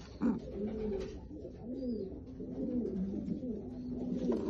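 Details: Domestic Lotan tumbler pigeon giving soft, gurgling coos indoors, smooth swelling notes strung together in a continuous rolling phrase, with a brief sharp knock near the start.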